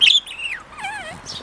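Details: Three-year-old male pet budgerigar, sunbathing in a good mood in Mie Prefecture, Japan, chattering in Kansai dialect copied from its owners: a high warbled phrase with sliding whistled notes, after a person says good weather and asks about food.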